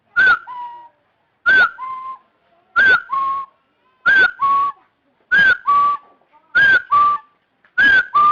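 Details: Partridge calling: a two-part whistled phrase, a short high slurred note followed by a lower steady whistle, repeated about every one and a quarter seconds, seven times in a row, loud and close.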